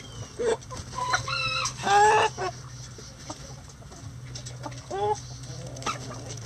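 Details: Hens at feeding time in a coop cluck and give short, rising, harmonic calls in bursts, loudest near the start, then quieter scattered clucks with a soft background hum.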